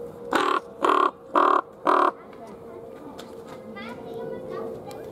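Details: Common raven kept at Schönbrunn Zoo, February 2020, filmed with a Panasonic HC-V270: four loud, harsh, hoarse caws about half a second apart, then a steady low hum and faint distant voices.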